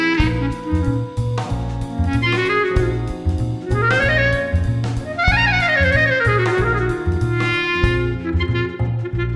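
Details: Jazzy instrumental music with clarinet-like melody, piano and a steady low beat, with no animal sound.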